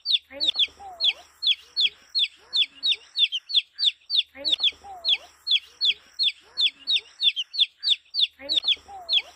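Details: A colourful chick chirping: steady series of high, sharp, downward-sliding peeps, about two or three per second, with a few softer lower notes between them and a quiet background.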